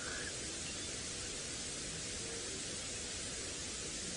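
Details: A steady broadband hiss of static fills the sunrise recording, and nothing else stands out.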